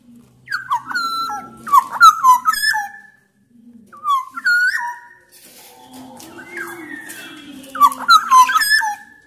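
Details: Loud black-naped oriole from Sumbawa, used to prompt other orioles to sing; clusters of mellow, liquid whistled notes, with a pause and then softer, rougher notes before another fluty burst.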